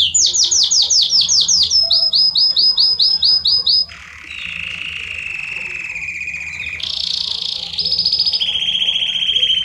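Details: Belgian canary in estourado style, sung to warm up a canary: quick descending chirps repeated in series, then a lower buzzy trill, shifting to higher rolling trills that alternate between pitches.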